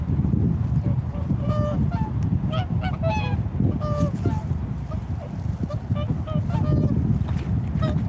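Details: Several swans giving repeated nasal honks, often in quick pairs or overlapping, pitched mid-range with rich overtones, continuing throughout over persistent low rumbling noise.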